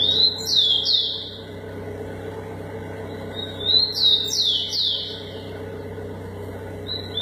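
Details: Rufous-collared sparrow (tico-tico) in a singing contest: clear whistled phrases of three or four sliding notes, delivered twice several seconds apart and followed by a brief third start, over a steady low hum.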